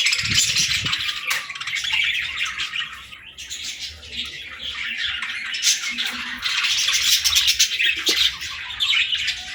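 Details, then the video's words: Young budgerigars playing and chattering together: dense, continuous warbling chirps and scratchy squawks layered over one another, with a faint steady hum beneath and a few low knocks. "Baby Budgies Playing & Talking 🐣🎶 | Fun Chirping Sounds"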